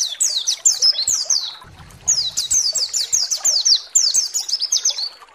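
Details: Bright, high-pitched white-eye song used to goad other white-eyes into singing: quick cascades of falling notes, a short break with a low rustle, then more rapid falling phrases.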